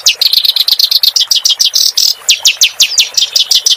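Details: Song of a clamorous reed warbler, used to train caged songbirds: a rhythmic string of sharp, harsh, scratchy notes delivered several per second, briefly broken by a buzzy churr midway.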